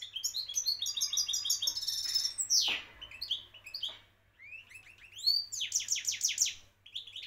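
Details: Champion goldfinch from Morocco singing a dense, fast sequence: rolling repeated twitter notes, a sharp descending buzzy sweep, then rising whistled slurs and quick tinkling runs at a lively pace.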